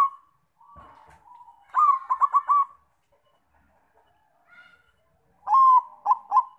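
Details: Lure song of a Bangkok-type zebra dove (perkutut) to make other doves sing. Soft opening coos, then a burst of four or five quick notes, a quiet stretch, and a closing run of clipped coos.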